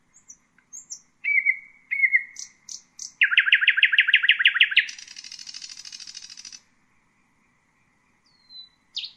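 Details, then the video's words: Song of a common nightingale (Luscinia megarhynchos): thin high notes and slurred whistles, then a fast series of loud repeated chirps and a long dry buzzy trill, ending with a falling whistle and a sharp note after a pause. "Common nightingale,beautiful birdsinging"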